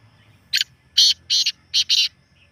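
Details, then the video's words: Genuine partridge voice played to get a kept bird calling: a short rasping note followed by two longer grating bursts and a closing quick pair, all harsh and high, with silence between. "مست کرنے والی اصلی تیتر کی آواز"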